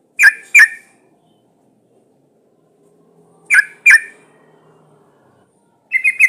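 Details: Sooty-headed bulbul, a female in breeding condition calling to males. Loud, harsh paired notes sound twice, three seconds apart, followed at the end by a brief run of bright chirps.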